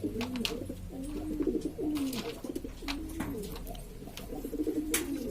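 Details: Domestic pigeons from East Lombok, West Nusa Tenggara, Indonesia, a noisy flock of various fancy breeds kept by hobbyists, cooing together in overlapping low, throbbing coos with rising and falling bends, plus sharp clicks and knocks.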